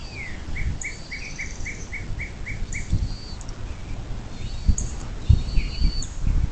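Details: Bald eagle nest on the Little Miami National Wild and Scenic River, southwest Ohio, USA, morning of 26 April 2024: a clear run of about ten high, evenly spaced chirping notes, then songbird trills, with occasional low knocks.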